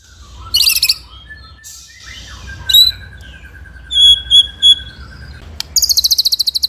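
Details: White-rumped shama song, a master recording for training birds: a sharp high burst, a long steady whistled note held for nearly three seconds, clear pure pips, then a fast high trill.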